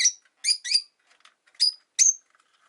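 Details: ['Rosy-faced lovebirds, five kept in a windowside cage: five piercing, clipped chirps, two of them in quick succession, with scattered soft clicks between.']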